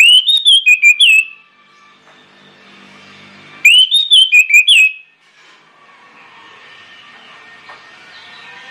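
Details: Orange-headed thrush giving loud, persistent song as a lure for other birds. Two bursts of fast, looping whistles are separated by a pause of about two and a half seconds, each lasting over a second.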